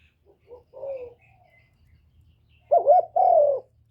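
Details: Decoy spotted dove calling to rouse other doves: soft, muffled coos at first, then two loud, full hooting coos, over a faint low rumble.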